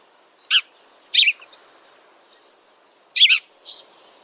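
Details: Noisy, gregarious house sparrows: abrupt, scratchy chirps, some doubled, four loud notes with a softer trailing chip, separated by pauses of about half a second to two seconds against a quiet background.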